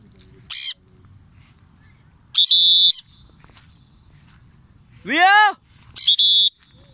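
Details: Free-flying Triton cockatoo giving loud, harsh screeches in short bursts spaced over several seconds, with one rising-then-falling harmonic squawk; quiet background with a person speaking Indonesian nearby.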